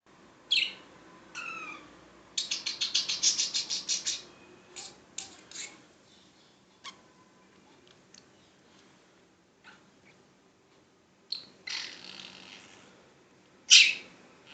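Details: Tweety, a happy 2-year-old female budgerigar in Chandigarh, India, warbles in bursts of rapid, scratchy chatter and sharp chirps with quiet gaps, repeatedly saying her own name.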